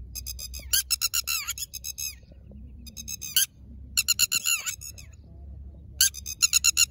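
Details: Wild red-wattled lapwing laying eggs on the ground gives loud, shrill, piercing notes in rapid bursts of several strokes, repeated every second or so, with a faint low rumble beneath.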